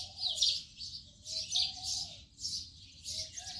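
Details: House sparrow giving bright, harsh chirps in quick overlapping bursts roughly every half second, with a faint lower tonal sound running beneath.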